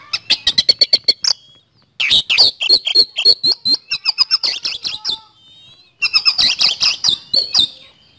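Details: White-rumped shama giving rapid rhythmic series of sharp chipping notes, about four per second, in three runs separated by brief pauses, with faint human voices and music afterward.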